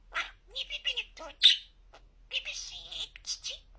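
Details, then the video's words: Very clear-talking pet budgerigar chattering in short word-like bursts, high and buzzy, with a brief pause midway before a longer run of mimicked speech. "En net konuşan muhabbet kuşu"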